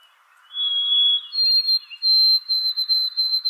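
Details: White-throated Sparrow singing, a recording made in New Jersey in the early morning and replayed in a lecture hall: sustained pure whistles stepping upward, then a long high held note broken into several short repeated segments.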